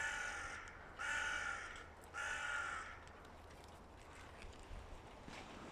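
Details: Three loud, raspy caws about a second apart from hooded crows in two rival groups clamouring before the breeding season, then only background noise.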